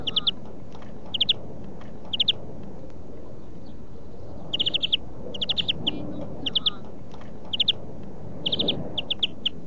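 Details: European greenfinch song used for song training: short bursts of rapid trilled notes, each burst a quick rattle of four to six notes, spaced about a second apart over a low rumbling background.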